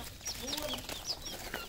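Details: Red junglefowl at a farm in Cambodia: a flock gives high, thin whistled peeps that slide up and down, mixed with a few low drawn-out clucking tones and faint human voices.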